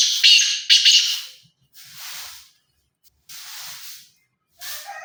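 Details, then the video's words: Kala teetar, the black francolin, opens with two quick harsh grating bursts of buzzy notes, then soft rushing hiss pulses at intervals of about a second. "کالا تیتر کی آواز"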